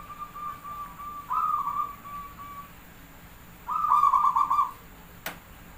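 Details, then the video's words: Javanese zebra dove cooing as a lure to set other doves singing: a soft sustained mid-pitched coo, then a pulsed, beaten phrase of quick rolling notes, with a faint steady background hiss. "Suara Jumlah Ketukan perkutut pandai burung Paling Gacor | Merbok perkutut Jawa Pancingan Gacor"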